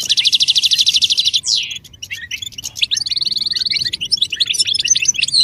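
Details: Stimulating European goldfinch song to coax males into singing: a fast metallic rattling trill, a sliding descending note, scattered sharp twitters, then another quick even trill and jangly chirping to the end.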